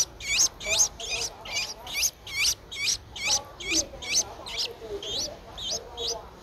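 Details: Streak-eared Bulbul nestling, ten days old, eyes open since day seven, recorded 12 April 2023 in Ubon Ratchathani, Thailand: rapid, steady run of thin, high, hooked squeaky calls, roughly two or three per second.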